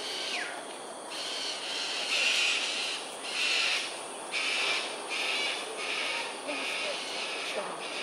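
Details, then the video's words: Cockatoos performing an aerial display at Sungei Ulu Pandan, Singapore, 7.43am on 13 January 2022. Loud, raucous, broadband screeches of half a second each repeat in a steady series, some overlapping, with insect hiss behind. "Cockatoos "Aerial Display""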